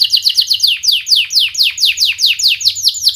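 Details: Canary singing a fast series of sharp, falling chirps, roughly four or five a second, high and piercing, used to lure and teach young canaries to sing.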